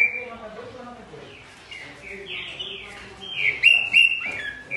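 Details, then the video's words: Green-winged saltator (Saltator similis) song, meant to prompt other saltators to sing: rich, slurred whistles that swell into loud, ringing phrases near the end, over a faint murmur of voices. "ABRIR O CANTO DO SEU TRINCA FERRO"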